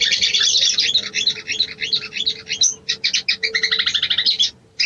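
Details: Sooty-headed bulbul female calling for a mate: fast high chattering that slows into distinct repeated short chirps, ending in a brief silence.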